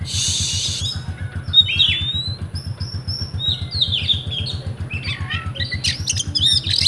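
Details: Oriental magpie-robin (kacer) kept in Comal, Pemalang, Central Java, Indonesia, rewo-rewo song: after a hiss, a series of downslurred whistles and quick chattering notes building to sharp high chips, with a low steady thumping underneath.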